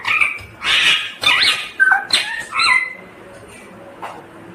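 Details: Green ringneck parrot giving harsh, screechy squawks and a few sweeping whistled notes that rise and fall, about a half-second apart, fading into quiet near the end.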